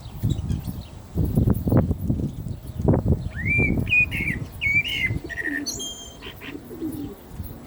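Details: Common blackbird singing while the call to prayer sounds. After low thumping noise, a run of clear whistled, slightly wavering phrases follows in quick succession, then fades into a quieter low murmur.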